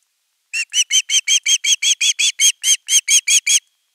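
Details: Persistent begging for fish by an osprey at nest 3 on 10 August 2021. Fourteen piercing whistled notes repeat steadily, roughly three per second, with no other sounds.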